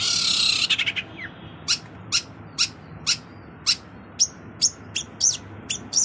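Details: Cendet, or long-tailed shrike, opening with a dense harsh burst, then evenly spaced sharp chirps about every half second, the later notes ending in short high twists.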